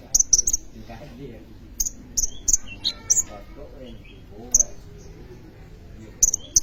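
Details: Actively singing sunbird (kolibri ninja), kept as a lure or tutor for training other birds, gives piercing high chips in tight clusters of two or three, separated by quiet gaps of about a second.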